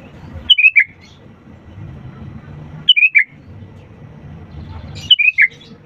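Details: Lively sooty-headed bulbul song played as a lure for birds that will not sing: a bright phrase of three or four descending whistled notes, given three times about every two and a half seconds, with low background rumble.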